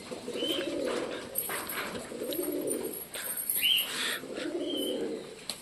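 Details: Pet domestic pigeon in a home loft with newly hatched chicks starting to call: three low rolling coos about two seconds apart, with high squeaky chirps and brief wing flutters around them.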